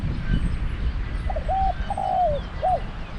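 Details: Decoy spotted dove in Thailand gives a single clear coo phrase: a quick soft lead-in, a flat short coo, a longer drawn note that falls away, and a short upturned ending.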